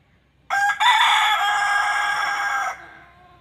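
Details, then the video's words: Rooster crowing, Aseel or Desi: a brief opening note, then one long sustained, harmonic-rich crow held steadily for about two seconds before it cuts off, with little background noise. "Aseel VS Desi Rooster Crowing Sound Effect | murga ka sound"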